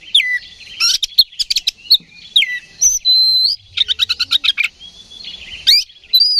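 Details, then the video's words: Magpie-robin singing to rouse rivals into fighting: fast trilled series of sharp notes between loud slurred whistles and one long level whistle, with lively, varied phrasing throughout. "KACER GACOR NGEPLONG TARUNG !! PANCINGAN KACER PALING AMPUH BUAT MENAIKAN EMOSI KACER AUTO RESPON"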